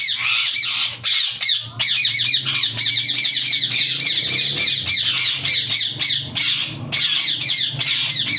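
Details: Yellow ringneck parakeet squawking almost without pause, a long run of harsh, chattering screeches with only a few short breaks; a low droning hum underneath.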